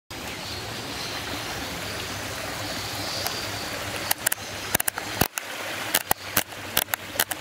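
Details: Steady rushing water like a stream fills the first half, then a series of sharp broadband clicks and knocks follows, with no animal call.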